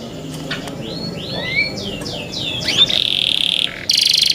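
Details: Young kept canaries: softer varied high slurred and rising notes, building into a brief loud buzzing roll and a final bright trill.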